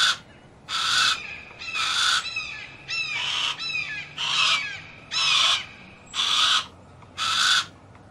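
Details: Harris's hawk screeching in harsh half-second bursts at a regular pace of about one per second, while a smaller bird adds quick, thin descending chirps between the calls.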